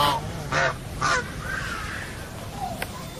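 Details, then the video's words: A goose gives three loud, nasal honks about half a second apart, followed by softer murmuring calls over a low background hum. "Funny GEESE SOUND / Suara Binatang Lucu ANGSA Soang"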